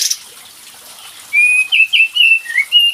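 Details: Kapas tembak bird lure sound for a bird that rarely sings: after a near-silent second, a quick string of six clear whistled notes, slightly falling and rising.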